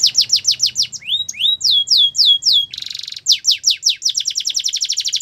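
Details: Training song of a Belgian canary: quick chains of falling whistles, upslurred swoops, a brief dense buzzy trill, then renewed rapid descending notes, with faint low hum early on.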